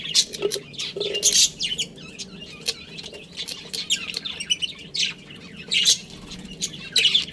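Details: Colony of pet budgerigars with a breeding pair: continuous chattering warble with sharp high chirps and scratchy squawks, some lower grating notes early on.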